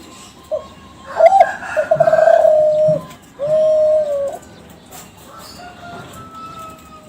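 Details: Lure song of a young Kelantan zebra dove bred from contest champions and kept in captivity. Clipped opening notes lead to a quavering coo and then one smooth, sustained note, followed by quiet background hum.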